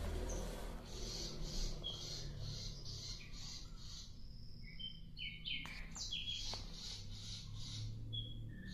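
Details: Active sikatan londo flycatcher song: rapid repeated high buzzy notes, then clear whistled chirps and a few sharp clicks, over a steady low hum.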